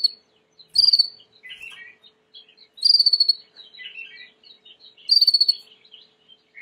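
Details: Song of a Timbrado canary for training: loud ringing metallic bursts about every two seconds, separated by softer twittering and low buzzy notes.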